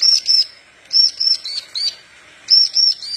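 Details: Horsfield's bush lark, parva form, singing eagerly to train other larks: short clusters of two to four high clipped whistled notes, separated by brief gaps.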